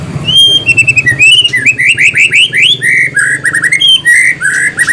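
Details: White-rumped shama singing a rapid run of clear whistled notes, rising slurs and chirps, a steady string of phrases with a faint low hum behind.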